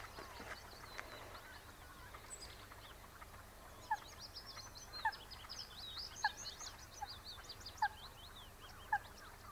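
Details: Common shelduck on the eastern Horsmeertje, Texel, giving short, sharp nasal notes about once a second, over a busy background of high twittering from small birds.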